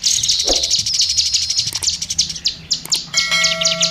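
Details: Oriental magpie-robin (kacer) song used as tutor material for other songbirds: rapid, high chattering notes repeated about four per second, then a few steady tonal whistles near the end, with a low hum underneath.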